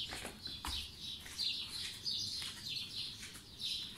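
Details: Spring 2020 morning chorus of birds: bright, high chirped notes and brief whistles repeat in a lively tangle, with a dull thump early on and scattered soft clicks.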